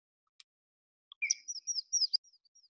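Yellow-throated Warbler song: a quick string of bright, sweet whistled notes, high and slightly bubbly, running about one and a half seconds and lifting toward the end.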